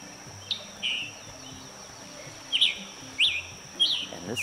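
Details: Scarlet Tanager in the Carolina Crescent, South Carolina, gives its "chipper" call rather than its song: five short, husky chip-burr calls about a second apart over a steady high insect-like whine and low rumble.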